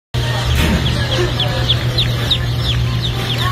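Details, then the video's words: Black Sex Link chicks hatching at a US hatchery, many chicks giving rapid high, down-slurred peeps that overlap one another, over a steady low mechanical hum. "Black Sex Link Baby Chicks Hatching"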